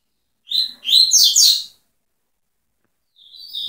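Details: Double-collared seedeater singing a brief phrase of high, rapid, buzzy twittering notes, followed by silence and the faint start of a thin, level note.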